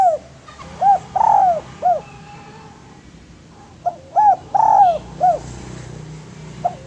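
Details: Spotted dove singing, a recording used as a lure and for training other doves: two cooing phrases, each of short arched hoots around a longer, louder central coo, spaced about three seconds apart over a quiet background.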